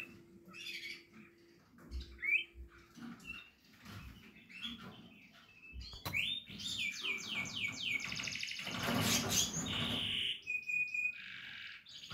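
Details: Portuguese Harlequin canary chicks, indoors: faint scattered chirps at first, then a loud run of rapidly repeated rising notes and a buzzy trill after six seconds, ending in a steady whistled tone.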